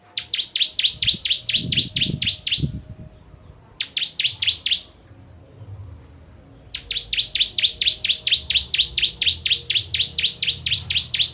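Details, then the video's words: Ciblek kristal, the bar-winged prinia, in sharp 'tembakan' volleys suited to tutoring contest birds: three bursts of fast, metallic buzzing chips, short then brief then long, with some low thumping noises early on. "Ciblek Kristal Tembakan Pedas Cocok Untuk Masteran Burung"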